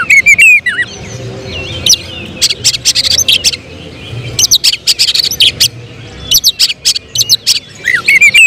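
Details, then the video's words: Caged oriental magpie-robin trained for contests, singing dense clusters of sharp rattling bursts broken by short slurred whistles, with a low background hum throughout. "Emosi berubah menjadi tembakan di menit menit genting, Kacer bakalan prospek lomba"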